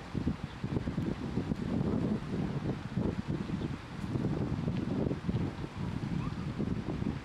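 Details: Steady gusting wind buffets the microphone throughout, with low rumbling and no clear animal voice.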